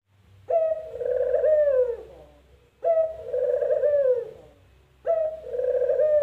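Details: Spotted dove, locally puter, calling three times in steady rhythm, each a brief opening note leading into a long, buzzy, trilled coo that slides down, over a low background hum.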